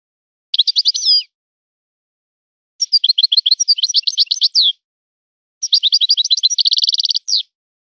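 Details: Forest-born European goldfinch singing in the style of a particular breeder's birds: three bursts of rapid, tinkling twitters and chirps, the last ending in a fast even trill, with pauses between phrases and no other sounds.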